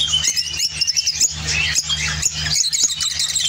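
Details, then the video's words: Singing lovebird of the opline orange colour form, Spain, giving fast high twittering and thin squeaks, strung close together with brief sharper chips, a constant low hum beneath. "Spain Opline Orange Love bird singing"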